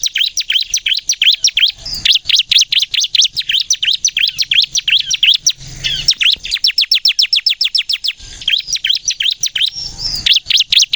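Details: Bar-winged prinia (ciblek kristal) singing non-stop in gacor nembak style, intended as a lure to set other prinias singing: dense, chattering streams of high, sharply slurred chips with only brief pauses.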